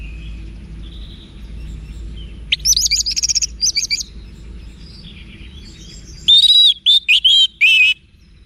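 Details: Orange-headed thrush song for training cage birds, northern Bali: a buzzy rapid trill-like phrase, then a louder run of clear whistled notes with dropping slurs, over faint background hum.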